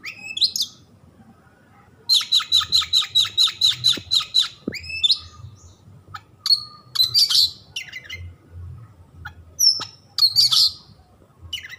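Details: Oriental magpie-robin (kacer) singing: a burst of about ten rapid, evenly repeated sharp notes, then varied whistles, clicks and chattering phrases with short pauses; faint low hum underneath.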